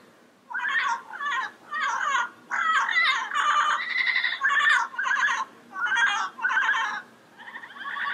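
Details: Long bout of about eleven varied calls from a wild yellow-headed parrot: rough squawks mixed with warbling, modulated notes, some rising and falling, delivered in quick succession over eight seconds.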